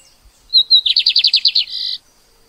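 Lined seedeater song: two high whistled notes, then a fast run of about eight buzzy slurred notes, ending in a sustained high buzz. No other sounds.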